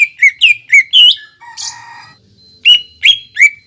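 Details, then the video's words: Greater green leafbird song used as a lure to prompt a bird to sing: fast whistled chirps, a brief harsher, buzzier note, then three more clear rising whistles. "PANCINGAN CUCAK IJO BAHAN AGAR BUNYI DAN GACOR"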